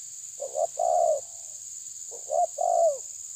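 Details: Two phrases from a terkukur tabir spotted dove challenging a rival: stuttered opening notes, then a loud, sliding, downward coo, against steady hiss.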